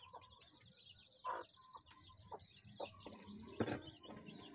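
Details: Crowd of domestic chicks at feeding time: a continuous faint chorus of high, short chirping peeps, with scattered louder taps and brief bursts throughout.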